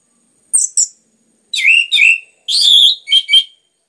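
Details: Orange-headed thrush song used to prompt other birds to sing: paired high sharp notes, then two rich downward-swooping whistles, a loud buzzy phrase and two quick scratchy notes, delivered in clean separate bursts against silence.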